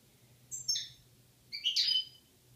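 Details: A pair of European goldfinches, male and female, recorded in Algeria in 2016; two short bursts of high, liquid twittering notes with tinkling trills, separated by a brief pause, over a faint low hum.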